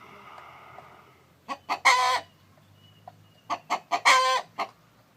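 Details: Chicken, a rooster heard as a hen sits on eggs. After soft background noise, two or three clucks climb into a loud, harsh, drawn-out note. The phrase repeats once more about two seconds later.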